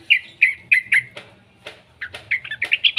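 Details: A young yellow-vented bulbul, played to coax others of its kind into song, utters four bright sliding chirps, a short pause with soft rustling, then a quicker bubbling string of notes.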